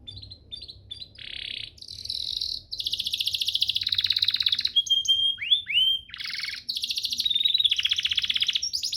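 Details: Canary master song for training: short chips, then extended buzzy rolling trills, a pure whistled note with descending slurs, and more rapid trills, continuous and varied.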